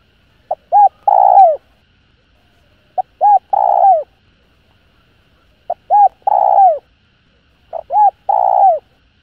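Spotted dove cooing a three-part phrase, two short hoots then a longer falling coo, repeated about every two and a half seconds.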